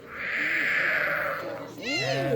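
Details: A four-year-old, human-imprinted captive northern white-faced owl at a South Carolina birds-of-prey centre, at night, gives a drawn-out, raspy hissing wheeze for about a second, meaning "feed me, I'm here". A person's voice follows.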